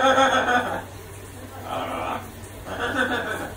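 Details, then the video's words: A macaw that copies dogs barking at him in the park gives three hoarse, dog-like barks about a second apart while showering, each a harsh, voice-like burst that fades away. "Parrot Barking Like A Dog"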